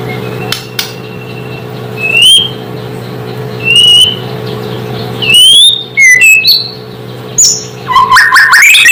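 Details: Song of a White-rumped shama meant to provoke other shamas: scattered short whistled notes and slurs with long pauses between, then a quick run of rising notes at the end, over a steady low hum.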